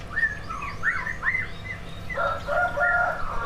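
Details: Caged greater green leafbirds, two competition birds, sing loud whistled slurred phrases repeated about every half second, then lower rich warbled notes, as a lure for other birds to sing.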